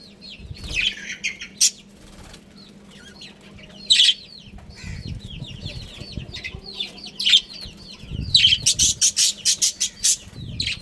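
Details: Colony budgerigars, a breeding pair: scattered warbling chirps with a few loud squawks, ending in a rapid series of about ten sharp chirps, with low rustling between calls.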